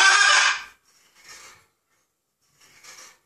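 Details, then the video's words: A 16-year-old macaw gives a loud, harsh, raspy burst, then two quieter breathy, gravelly rasps about a second and a half apart, like a hoarse laugh, then demonic-sounding noises. "Macaw laughing and making demonic noises"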